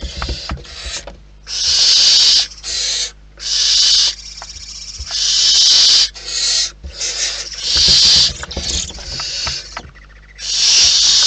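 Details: Barn owls in the wild, heard at the nest: a steady series of loud, airy hissing shrieks, roughly one burst every second or so, with brief silences and faint rustling between them.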